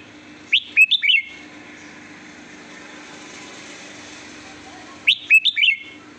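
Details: Red-whiskered bulbul singing in two short bursts of three or four sweet whistled notes, sliding down from high to middle pitch, about four seconds apart, over a faint steady hum.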